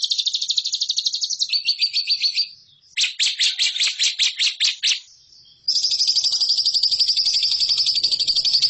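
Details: Lovebird kept for training competition birds: rapid high chattering trills in bursts, a fast buzzy run of sharp repeated notes, a brief pause, then a long unbroken shrill trill to the end.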